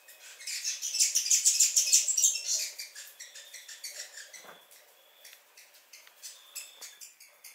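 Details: New Zealand fantail singing in the rafters at Belk Road South, Omanama, in March 2019. A burst of very high, thin, rapid squeaky notes, then fainter, slower ticking and chattering notes at a steady pace.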